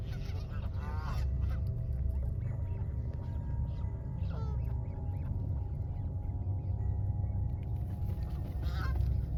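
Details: Wild Canada geese in Canada charging toward a standing person; a few short nasal honks with rising-falling harmonics rise above constant low rumbling noise, spaced several seconds apart.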